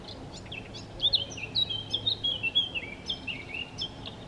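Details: Eurasian blackcap at Chełm, Poland, 17 May 2022, singing in pauses from feeding: a rich, fluty warble of rapid clear notes, rising and falling, filling most of the clip and ending in loud whistled phrases.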